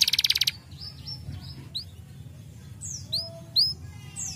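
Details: Canary song opening with a rapid, loud, rattling trill, then clear high whistles and sweeping downward slurs, with a few shorter chips spaced out, over a low background rumble.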